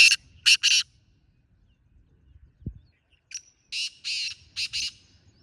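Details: Black francolin, wild, calling together with a caged one: two harsh phrases of grating bursts, three notes and then about five, separated by near silence.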